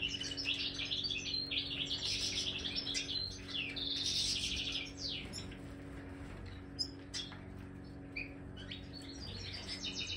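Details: In an aviary, a Major European goldfinch offered marigold sings a rapid twittering phrase with buzzy, wheezy sections, fading to scattered single chirps and a short click; soft hum in the background.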